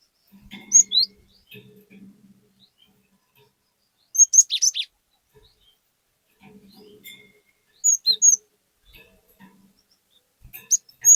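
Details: Singing cinereous tit meant to coax a raw, untrained bird into singing loudly; short clusters of thin, high chirps recur every few seconds over faint low rumbling.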